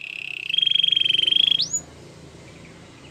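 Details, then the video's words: Canary training song: a short phrase with one long, steady, high whistled note held for about a second, then a quick upward slide, followed by quiet. "Your canary will not stop singing with this training song"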